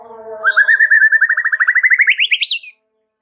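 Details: White-rumped shama in a masteran (song-training) recording: a rapid run of about two dozen clear, even notes that climbs steadily in pitch before ending in a high sharp flourish, then silence.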